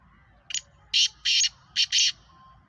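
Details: Sheedi Nasal black francolin, kept captive, calling with a short hoarse introductory note followed by four loud, rasping, buzzy bursts in a rhythmic pattern.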